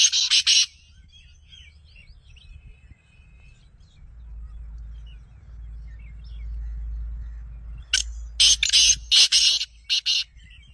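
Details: Black francolin, a captive partridge, calling to prompt another captive bird to call; a few harsh, broadband grating notes at the start, then a quiet stretch with low rumble, then a burst of several loud rasping notes near the end.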